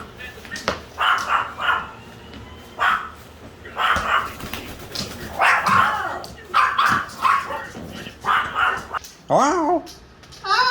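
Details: Male pet Moluccan cockatoo playing and making noises: a long series of short harsh squawks and chattering bursts at irregular intervals, ending with a sharp, wavering harmonic screech.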